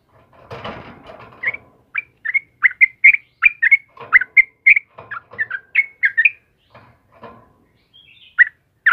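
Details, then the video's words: Sooty-headed bulbul sings in the morning: after a rustling noise burst, a quick series of bubbly whistled notes follows, then a pause and two more loud slurred whistles. "TRUCUKAN JENIS APAPUN PASTI RESPON DENGAN TRUCUKAN KEBO INI || suara burung trucukan GACOR PAGI HARI"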